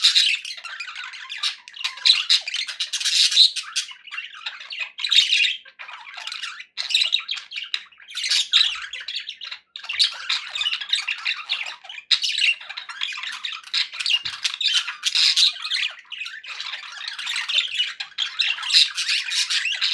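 Budgerigars chatter constantly with high, scratchy squawks and warbling chirps in dense, overlapping bursts.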